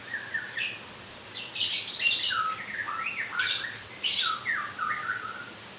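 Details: White-rumped shama shedding feathers sings a varied song: low whistled wavering notes, then dense scratchy high bursts, ending with bouncing whistled slurs.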